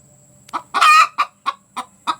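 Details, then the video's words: Village hen calling after laying an egg: short clucks, one long loud squawk, then more evenly spaced clucks about every quarter second. "Suara ayam betina selesai bertelur"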